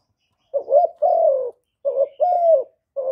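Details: Low, throaty cooing of a spotted dove, recorded directly without background noise to stimulate male doves: short clipped notes alternating with longer drawn-out coos that sag slightly in pitch, in quick succession.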